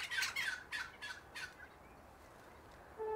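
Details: Wattlebirds in a coast banksia area near the Frankston train line, Bunurong country, give four harsh, rasping squawks in quick succession, then fall quiet as a passing train toots low at the end.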